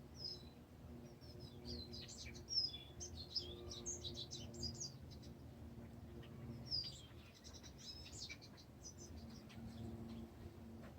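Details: Birdsong of several small birds, high thin chirps and quick twittering phrases in two dense bursts, over a steady low hum.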